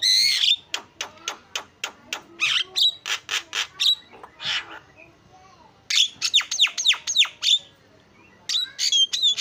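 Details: Javan myna song used as a tutor for silent mynas: rows of dry, rapid clicking rasps interspersed with short whistled upslurs, broken by brief pauses before the rattling bursts resume.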